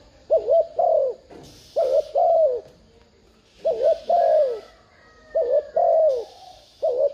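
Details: Spotted dove decoy, thúc gù urging call used to trigger wild doves: repeated low paired coos, quavering then long and falling, roughly every 1.8 seconds, with patches of hiss and a faint higher whistle.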